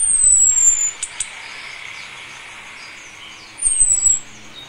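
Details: Breeding-ready female orange-headed thrush calls the male with two thin, high, slightly falling whistles about three seconds apart. Faint rustling and a pair of clicks are also heard.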